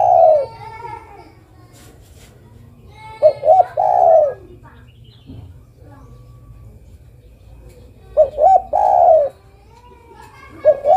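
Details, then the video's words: Zebra dove, a female calling for a male, repeating a mellow cooing phrase of quick stuttered notes ending in a sustained, rolling coo, heard about three times with quiet pauses and faint clicks between. "Suara burung derkuku betina memanggil jantan"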